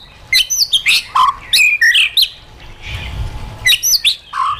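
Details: White-rumped shama singing in wild voice for stimulating caged birds: two bursts of loud varied whistling, high sweeping slurs and mellow low notes, separated by a brief quieter gap with soft hum.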